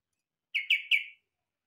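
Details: Song of a yellow-vented bulbul, likened to the cucak ijo's, made of three rapid, rich whistled notes in under a second, each bubbling and falling slightly, against silence.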